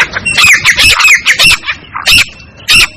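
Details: Clear call of a female black francolin, used to lure other francolins quickly: rapid run of harsh, grating squawks with a thin whistled edge, then two separated loud squawks after a short gap.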